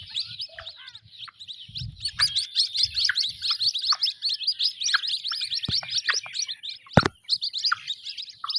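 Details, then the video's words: Young white-breasted waterhens peeping continuously, many shrill, rising chirps crowded together in a steady chorus, with a few lower notes and a sharp click near the end. "Jal Murgi k bacho ki awaz|جل مرغی کے بچوں کی آواز"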